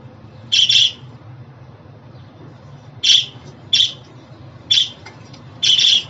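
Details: Pet budgie chirping: a doubled harsh chirp, a long pause, then four more single scratchy chirps spaced about a second apart, over a low background hum.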